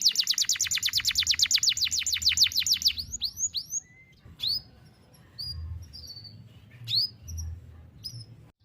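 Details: Canary singing a long one-breath song meant for tutoring young birds: a fast series of sharp downward-sweeping notes, then sparse rising chirps and short whistles separated by quiet gaps with a low background hum.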